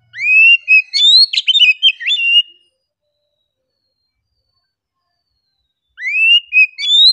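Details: Oriental magpie-robin singing relaxedly: a lively phrase of rising whistles mixed with quick chirps and sharp notes for about two and a half seconds, silence, then a new rising whistled phrase.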